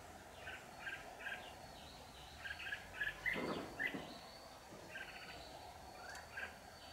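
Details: Trap-side red-whiskered bulbul, a decoy luring wild birds, 15 July 2019: short bright chirping notes repeated in quick clusters, several per second, over steady low background hiss, with one dull thump midway.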